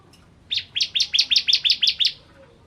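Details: Ciblek kristal (bar-winged prinia) singing one quick phrase of eight loud, rising, chirped notes in an even rhythm.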